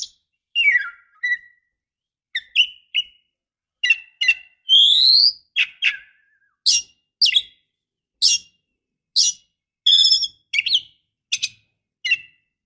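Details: An oriental magpie-robin female calls to the male with a steady series of crisp, high, falling chirps and brief whistles, roughly two per second, one longer rising buzzy note midway.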